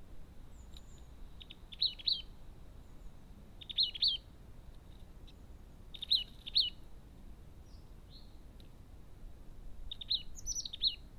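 Crested tit giving short, high, purring trills in brief bursts about every two seconds, over a low steady background hum.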